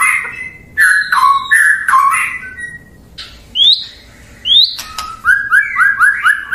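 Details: White-rumped shama (murai batu) singing a song meant to provoke rival birds into answering: clear whistled notes and slurs with short pauses, then a quick run of repeated rising whistles at the end.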